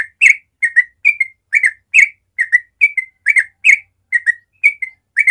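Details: Yellow-vented bulbul pouring out its fast 'ropel' morning song: unbroken chattering run of liquid whistled notes, mostly paired, repeating about twice per second in a clean recording.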